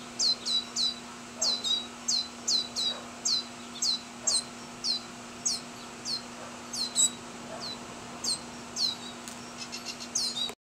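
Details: A juvenile lesser goldfinch (Spinus psaltria) in Orange County, California, in May 2008, excitedly begs its father for food after he lands on its branch, giving high, thin, down-slurred chirps about twice a second over a faint low hum.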